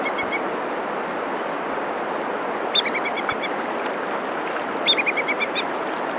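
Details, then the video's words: Ibisbill (Ibidorhyncha struthersii) calling: three quick bursts of clear, high piping notes, five to eight in each run, over a steady rush of fast water. "Серпоклюв, голос, Орок тумшук чулдук"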